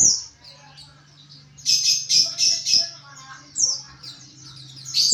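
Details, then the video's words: Kept white-eye in ngriwik chatter used as training: quiet thin notes, then a burst of loud high twittering bursts and squeaks, over a steady low electrical hum. "Penggacor Pleci NGRIWIK"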